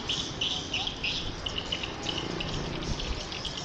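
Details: Edible-nest swiftlets raised for their nests, uttering quick high chirping calls in an overlapping chorus, over low rumbling noise.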